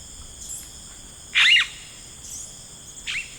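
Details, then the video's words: Yellow-rumped cacique in rainforest giving one loud, harsh, broadband burst mid-clip and a shorter, fainter note near the end, over steady high-pitched insect buzzing. "Yellow Rumped Cacique Sound"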